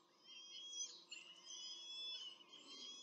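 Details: Peregrine falcons at a nest in Rome during a brief feeding of the chicks, 21 April 2024: thin, whining, harmonic calls rise and fall, with several overlapping cries and short breaks.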